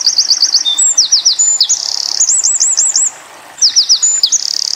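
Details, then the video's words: Eurasian wren singing tembakan-style, recorded as pleci tutor material: rapid high trills, slurred whistled loops and sharp rattles, a brief pause, then more fast trilling. "Masteran PLECI Tembakan Winter Koning / Wren"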